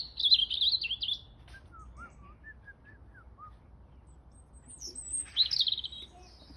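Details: A robin sings on a Sunday morning: high, thin, tumbling warbled phrases separated by a run of soft, lower slurred notes, with a faint background hum.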